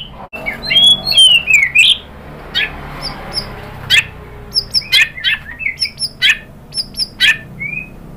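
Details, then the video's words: White-rumped shama singing to provoke other birds to respond: slurred descending whistles, then a series of short sharp chips and high notes spaced about every half second. "PANCINGAN MURAI BATU GACOR bikin EMOSI jadi NYAUT BONGKAR MATERI ISIAN ¦ SHAMA BIRD"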